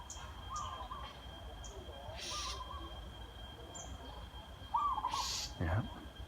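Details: Zebra dove, a trained decoy bird used to lure wild doves, giving short soft trilled coos at a steady pitch, spaced a couple of seconds apart, with brief hissy noise bursts and a low thump in between.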